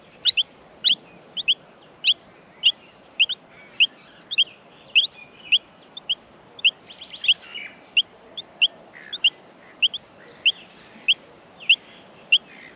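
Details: Australian miner chicks in the nest being fed utter a long run of sharp high chirps about twice per second, briefly mixed with a burst of softer, buzzy, overlapping chatter midway.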